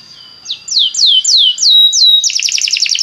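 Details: Loud Belgian canary phrase of six or so descending whistled slurs, each clear and evenly spaced, running straight into a fast rolling trill of short high notes; played to make other canaries sing.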